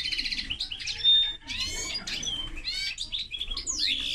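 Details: Linnet and canary hybrid singing a fast, varied warble of high twittering notes, buzzy trills and a brief pure whistle, with rising and falling slurs throughout.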